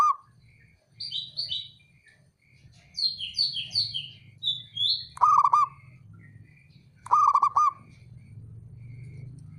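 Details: Male zebra dove, a local Javanese perkutut, giving two stuttering bursts of rolling cooing notes. Between them, higher twittering chirps from other birds are heard, with a low background rumble throughout.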